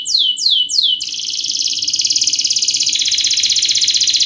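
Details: Canary giving a rapid, tight training song for youngsters: a few clear downslurred whistles, then a continuous high buzzy roll of very fast repeated notes, dropping slightly in pitch toward the end.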